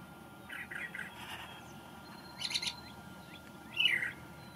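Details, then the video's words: A male Brown Thrasher, newly arrived from migration, sings in May: a few short, varied phrases, some doubled, in a rich mid-pitched voice over about four seconds, with a faint steady hum underneath. "Thrasher Sings the May"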